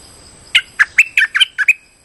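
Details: Streak-eared bulbul calling as a lure for bird trapping, giving seven crisp, separate chirps spaced about a fifth of a second apart. Several notes bend upward and a few are doubled.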